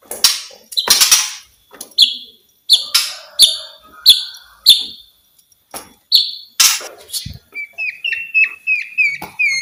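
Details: White-rumped shama singing to urge silent shamas into song: loud harsh bursts, a string of short high whistled notes repeated at steady intervals, then a quick run of rising chirps.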